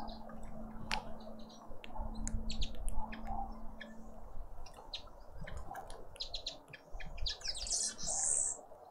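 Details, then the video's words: Birds in a suburban garden in Pretoria, South Africa, visiting a feeder: rapid, irregular high tweets and clicks, about two to three per second, ending in a louder buzzy twitter, over a low steady hum and background noise. "sounds of South African Birds"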